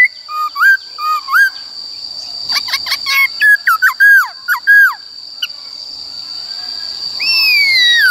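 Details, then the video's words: Forest-style training song of the Black-throated laughingthrush: paired slurred whistles, a burst of sharp clicks, then quick arched notes about one and a half per second, ending in a long falling whistle; steady high tone throughout. "Khướu Bạc Má HÓt Giọng Rừng Bao Phê Luyện Giọng Chim Bổi Ép Giọng Chim Non"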